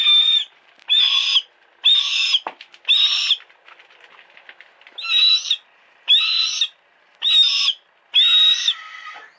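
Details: Captive female hawk kept at a friend's house screams repeatedly: eight loud, rasping, high-pitched cries at roughly one-second intervals, with a brief rustle of movement between them. Sony Cyber-shot DSC-HX30V camera.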